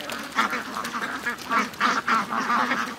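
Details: Big mixed flock of ducks and geese, over 700, hurrying to the lake in the morning; loud nasal quacks overlap in quick bursts a few per second, a steady noisy din under them.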